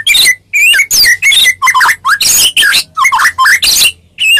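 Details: White-rumped shama, Medan type, singing as a fighting lure to make other shamas answer: loud, varied, liquid whistled phrases with twisting notes, in phrases of about half a second separated by short gaps.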